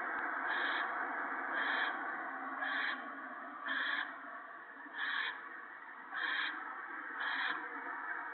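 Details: Owls at a nest in the evening, March 2017, during a gopher feeding for the owlets: steady breathy rasping with seven brighter hiss pulses at roughly one-second intervals.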